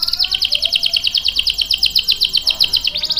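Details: Canary in full song, played to draw out and train young and stalled birds: a continuous high, rapid trill of chirping notes, repeated about four to five times a second with a slight wavering pitch.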